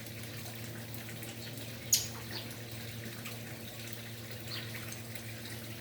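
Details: Quiet indoor hum with one sharp click near the two-second mark.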